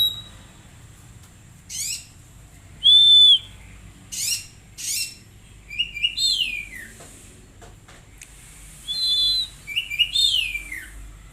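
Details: Oriental magpie-robin song used to train untrained birds to sing: harsh rasping bursts alternate with a pure whistled note, followed by tumbling downslurred chattering phrases and a brief high whistle.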